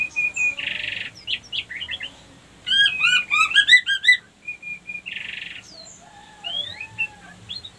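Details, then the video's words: Female white-rumped shama used as a lure to bring other females into breeding readiness: a harsh rasp and whistles, then a quick run of rich, bubbling repeated notes, another rasp, and soft upswept whistles. "pancingan murai batu betina kurang birahi auto naik birahi ngleper minta kawin"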